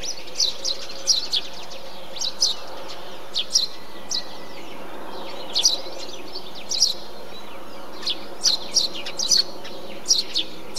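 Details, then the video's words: Eurasian tree sparrow (Passer montanus) in a bee-eater colony giving short, sharp, high chirps in loose bursts every second or two, over a low steady background hum. "Feldsperling - Eurasian Tree Sparrow - Passer montanus"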